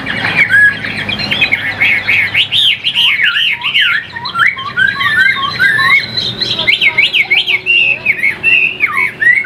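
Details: Chinese hwamei, a caged bird from Vietnam praised as a fine singer, delivers a rich, continuous song of looping whistled phrases that swoop up and down, fast and varied, with slight room echo.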